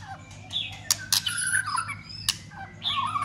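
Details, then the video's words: White-rumped shama clicking and tail-flicking to stimulate another shama into fighting song. Sharp loud clicks punctuate brief rich whistled and warbled phrases in a short burst, with a faint hum behind. "Chòe lửa kích lửa cực sung ,tạch liên tục đập đuôi kích chòe lửa lên lửa hót đấu.chòe lửa hót"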